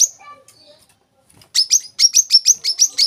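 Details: Olive-backed sunbird (kolibri kelapa) song: after a faint, scattered first half, a rapid run of high, sharp chirping notes about six per second, even in pitch, to the end.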